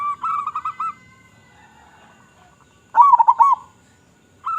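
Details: Local zebra dove lure song from a bird with a big voice: a phrase of pulsed coos, a quiet gap, then a loud fast rolling trill of deep coos, with the next phrase just beginning at the end.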